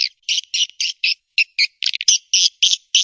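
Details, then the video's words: Swiftlet call and roosting sound, as used by swiftlet farmers in Indonesia to draw birds into bird houses: short buzzy twittering chirps repeated in rapid, uneven bursts, growing denser toward the end. "SUARA PANGGIL DAN INAP BURUNG WALET"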